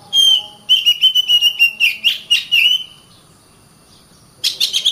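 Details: Oriental magpie-robin song of a long high whistle followed by a fast series of about ten bright clipped whistled notes, a silent gap, then a new burst of rapid chirps.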